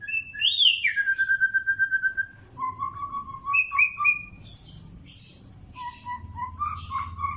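A White-rumped shama sings rich, varied whistles, sliding and steady notes mixed with quick chirpy phrases, over a low background hum.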